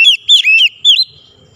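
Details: Oriental magpie-robin (kacer) singing as a bird-training sound: three loud, slurred whistles in under a second, each swooping down then up, then a fading thin tone.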